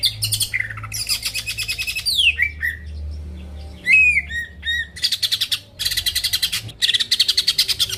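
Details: Cucak ijo, the greater green leafbird, in lively song meant to goad rivals into singing: dense bursts of rapid high chattering trills alternate with clear downslurred whistles and short twittering phrases.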